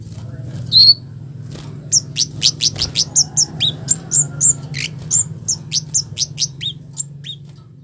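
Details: Red-capped flowerpecker uttering a harsh lure call to draw responses from other flowerpeckers: an accelerating string of high, sharp ticks and little slurred chips, evenly spaced for several seconds after a single squeaky note.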